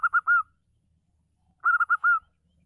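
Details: Local female zebra dove, strong-voiced, singing to stir up silent males: two phrases about one and a half seconds apart, each a fast series of clipped cooing notes closing on a longer sustained coo.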